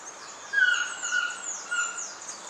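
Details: A Black-mandibled (Yellow-throated) Toucan, Ramphastos ambiguus, sings at Pierella Ecological Garden in January–March: a hoarse, mid-pitched yelping phrase of about three strokes roughly half a second apart, with thin higher calls of other birds behind.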